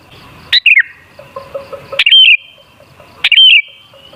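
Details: Sooty-headed bulbul song used as a lure to get other bulbuls singing: three short phrases of bubbly, warbled whistles, each opening with a sharp click and dipping then rising, spaced about 1.5 seconds apart over a quiet background.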